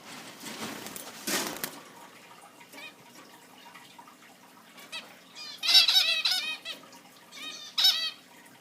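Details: Captive zebra finches chirping indoors: after a stretch of soft rustling and a brief noisy burst, loud nasal, harmonic chirps come in quick clusters in the second half.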